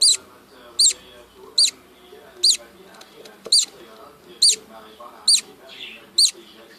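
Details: Budgerigars kept with a chick: sharp, high, clipped chirps repeat roughly every 0.8 seconds, eight in all, over soft lower chatter and faint rustling.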